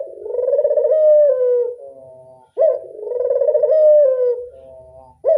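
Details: Local Barbary dove (burung puter) cooing in the classic style, with two full throaty coos, rolling and pulsed, gliding downward at the end, each introduced by a quick upward-sweeping note.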